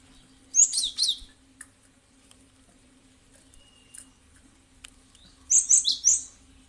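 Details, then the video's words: Cinereous tit, used as a lure sound to prompt birds to respond: two rapid clusters of sharp, high, chirping notes open the recording, a few faint ticks follow, then a closing run of three or four bright notes over a low hum. "Pancingan paling ampuh di jamin langsung respon ikutan bunyi"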